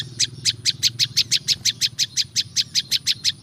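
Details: Olive-backed Tailorbird in a natural recording meant for luring wild birds, giving a steady, unbroken string of piercing high chips, roughly five each second, over a soft low background hum.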